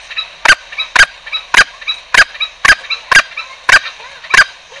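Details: Trapping lure of green junglefowl: eight brief, harsh, clipped calls repeated about every half second in a fairly steady series over faint background hiss.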